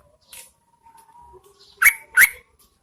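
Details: During the rainy season a female Yellow-vented Bulbul calls to draw in males, giving two loud, abrupt upward-sweeping chirps in quick succession after a faint low tone.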